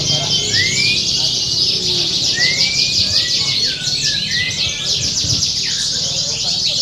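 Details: Several competition canaries at an Indonesian song contest pour out rapid high trills and rattles, with clear rising whistled slurs standing out; recorded as a contest simulation for training. A crowd murmur runs beneath.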